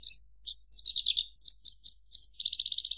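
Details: Javan bush lark song of sharp, high chirped notes in an uneven, varied sequence, then a rapid buzzy trill of about a dozen evenly repeated notes at the end.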